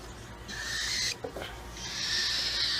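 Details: Young cockatiel hand-fed at a pet store, producing harsh, grating, continuous rasping calls in two long bursts separated by a brief gap, over a low background hum.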